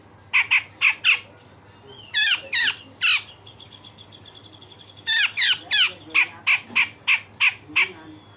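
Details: Grey-cheeked bulbul song of coarse rasping phrases and sharp notes, used to train other songbirds: quick harsh bursts, a thin sustained whistle mid-way, then a long rapid series of squawking notes.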